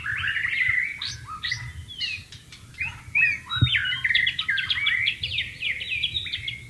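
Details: Wild white-rumped shama by flowing water sings a continuous, varied medley of sliding whistles, chattering notes and short trills, with a low watery rumble throughout.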